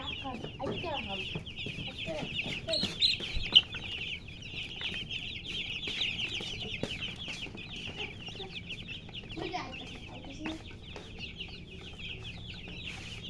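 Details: A flock of baby chicks keeps up an unbroken chorus of fast, high-pitched chirps, louder and busier early on, with scattered clicks and a faint low rumble beneath.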